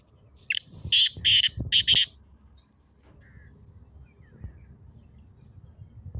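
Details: Black francolin (kala teetar) call used to rouse a pet partridge: one burst of four harsh, grating notes in quick succession, then near silence with faint low rumble.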